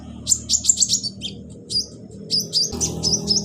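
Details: Caged-bird stimulation recording of a kolibri ninja sunbird: quick series of high, sharp chirps followed by short rising whistled squeaks, with a low background hum throughout.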